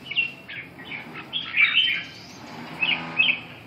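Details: Red-whiskered bulbul singing: short bright warbled phrases around the upper-middle range, a cluster of quick notes midway then brief chirpy bursts near the end, with a faint steady low hum beneath.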